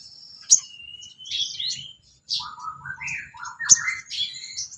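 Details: Sooty-headed bulbul song used as filler training material for songbirds: bubbly, warbled phrases sliding between low and mid pitch, one long rising whistle, a sharp click, and a faint low background rumble.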